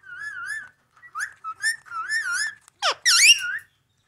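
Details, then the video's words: Talking ring-necked parakeet: clear, wavering, speech-like phrases with rich overtones, broken by short gaps, then a sharp downward squawk and a rasping, wobbly burst of chatter. "ring neck parrots talking"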